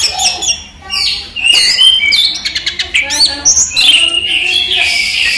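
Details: Orange-headed thrush, a kept songbird, singing during the day: a loud, varied run of whistled and chattered phrases, quick slurred notes, trills and rising sweeps, with fairly continuous delivery.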